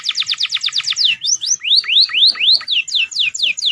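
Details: A canary sings a master-audio song filled with prinia and ciblek phrases: a fast, bright run of about ten descending notes, then looping, rising-and-falling whistles, all high-pitched and clear.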